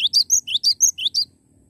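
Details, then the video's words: Short, loud cinereous tit phrase: seven quick high notes in about a second, each sliding upward into a sharp whistle, then silence. "Glatik Batu Gacor Mantul"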